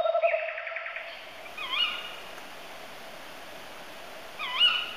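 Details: Tawny owl: a steady tonal note at the start, then two short quavering calls about three seconds apart, each dipping and rising in pitch, over a faint hiss.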